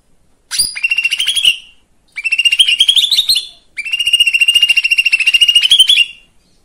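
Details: A lesser green leafbird gives three bursts of rapid, harsh, high-pitched chattering, each one to two seconds long with short pauses between; the audio is meant to provoke and excite other caged birds.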